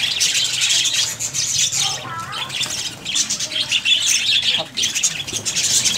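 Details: Many budgerigars in a breeding colony chattering together, high twittering and squawky warbles overlapping steadily, with a short, clearer descending note in the middle.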